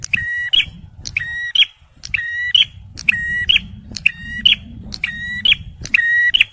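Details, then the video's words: Male bar-winged prinia, sung for luring birds and prompting stressed ones: bright ladder-like harmonic phrases with a steady band and a rising flick at the end, repeated roughly every second over low rumbling background noise. "TEMBAKAN PRENJAK MERAH JANTAN || CIBLEK SUPER GACOR COCOK UNTUK PIKAT DAN PANCINGAN BURUNG SETRES"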